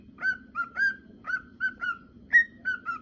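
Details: Male cockatiel singing, a whistled song for training cockatiels: about nine clear whistled notes, each with a short upward onset and a level or falling tail, spaced irregularly about a third of a second apart, over a low hum.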